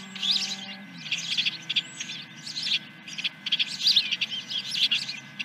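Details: Osprey calling at the nest at Dunrovin Ranch on 10 July 2021, morning, first fish: insistent shrill chirps in rhythmic clusters, a low engine-like drone at the start.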